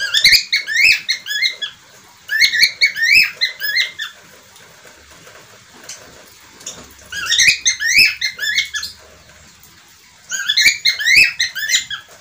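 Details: Budgerigar, or parkit australia / falk, giving four separate bursts of fast twittering, rising chirps spaced by quiet pauses of a few seconds.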